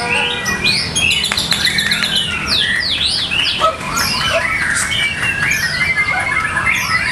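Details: White-rumped shama, a caged contest bird at a routine practice contest, delivering loud varied song: chains of quick sweeping whistles and zigzag notes, then chattering phrases, while other songbirds sing constantly behind it.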